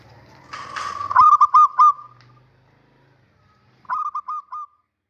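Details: Male zebra dove (perkutut), a local bird, calling often. A brief rough sound is followed by a burst of four clipped coo notes. After a pause, a softer repeat of the same pattern comes.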